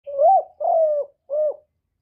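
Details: Spotted dove cooing in a thổ thúc voice style, recorded up close without background noise to stir kept doves. The phrase has three low, hollow coos: the first rises, the second is long and flat, and the last is shorter. Background is quiet.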